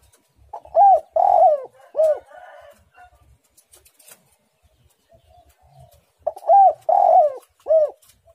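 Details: Two cooing phrases from a spotted dove in a lively, tight-pressed singing style. Each phrase runs short note, drawn-out burry coo, then a bowed closing note. Faint scattered clicks and rustles fill the gap between them.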